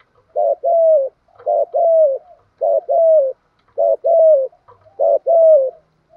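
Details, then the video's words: Spotted dove in thổ pha đồng voice, cooing to stimulate decoy and newly caught birds: five steady phrases, each a short note then a longer falling coo, repeated about once a second in an even rhythm. "cu gáy giọng thổ pha đồng. thúc gù, tiếng gáy gọi, giúp anh em tập mồi và bổi hiệu"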